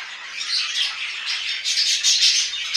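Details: Pet budgies warble non-stop indoors, a buzzy, grating stream of high squeaks and chirps that grows louder and brighter in the second half, with short piercing accents.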